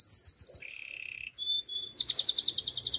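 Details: Canary training song with a few sharp repeated notes, a steady low buzzy roll, thin high whistles, then a rapid pulsing trill.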